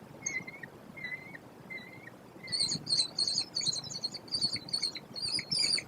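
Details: American kestrel at a gravel-bottomed barn nest box overlooking grassland near Prairie du Chien, Wisconsin, with five chicks hatched 14–16 May 2025: a few soft, thin notes, then loud, rapid shrill chattering klee-klee calls, about three a second.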